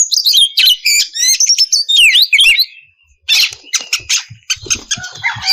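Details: Breeding-condition female oriental magpie-robin calling the male: quick rising and falling whistles and rippling trills at first, a brief silence, then coarse buzzy chatter with scratchy notes at the end.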